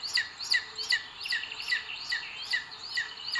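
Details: Booted eagle at its nest in Sierra de Guadarrama, Spain, on 2 June 2022, as the male brings food to the female, recorded by a live nest webcam: a series of high, arched, whistled notes, about two and a half per second, over a steady background hiss.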